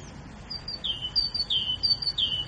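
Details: Grey bulbul singing: clear high whistled notes, each a short high slur followed by a lower downslurred note, repeated in pairs about every two-thirds of a second against a soft background hiss.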